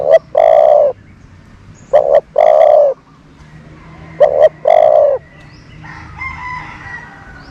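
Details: Decoy dove used to lure wild doves, giving low coos: a clipped opening note followed by a longer, steady hooting coo, repeated three times about every two seconds, with faint distant bird chatter at the end.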